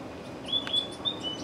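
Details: Purple-throated euphonia, two birds, possibly females, fighting; thin, high whistled notes drawn out in short level strokes, about four in quick succession over a soft background hiss.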